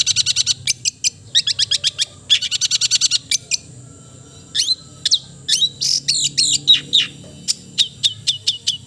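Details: Long-tailed shrike (cendet) singing. It opens with fast runs of sharp, high, clicking chips, several per second. These are followed by a pause, then varied whistled slurs and scratchy twittering notes.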